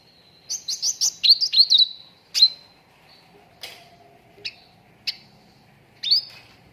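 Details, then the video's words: Cucak ranting lure recording for training contest birds, meant to make a bird start singing quickly: a rapid run of short, sharp chirps rising to a high note, then scattered single high chips spaced about a second apart. "PANCINGAN CUCAK RANTING BAHAN AGAR CEPAT GACOR"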